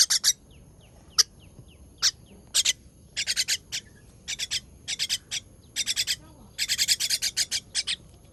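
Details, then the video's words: Fledgling bird begging while fed, 18 June 2023: rapid, high, scratchy rasps delivered in quick clusters of two to four, growing denser toward the end, with soft distant chirps between. "Feeding baby bird"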